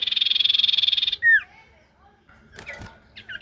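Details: Ashy tailorbird singing constantly as a lure: a rapid buzzy trill of just over a second ends in a loud downslurred whistle, followed by faint background noise and a brief scratchy burst.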